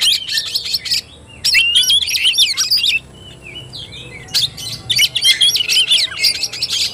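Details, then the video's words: Oriental magpie-robin in fighting style, two loud bursts of quick whistles and chatters separated by a quieter spell of soft slurred notes. "KACER TARUNG"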